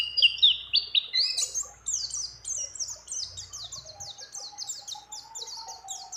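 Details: Female mountain white-eye calling a male while in breeding condition, with phrases of many other birds. It opens with squeaky warbling, then gives a long run of regularly repeated, sharply descending high chirps over a faint low hum.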